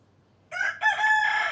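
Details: Rooster crowing: after a short pause, a loud bright crow starts, breaks briefly, then resumes as a sustained harmonic note.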